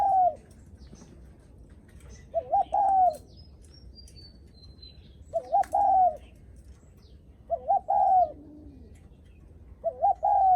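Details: Repeated spotted dove coos of the greeting-visitors style, phrases roughly every two and a half seconds, each a wavering couplet then a long falling coo; a faint high whistled note from another bird near the start.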